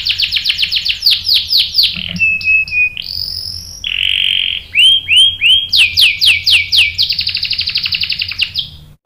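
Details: Canary lure song meant to provoke a male into answering with long rolling song: rapid repeated high chirps, a buzzy steady whistle, then swooping slurred notes and fast trills, with low hum underneath.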